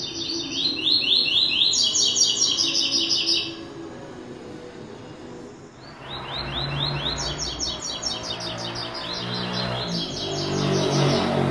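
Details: Classic tuí tuí zel zel song with third note from a white-throated seedeater, given twice: sharp descending high notes running into buzzy trills, separated by a quieter gap with background noise.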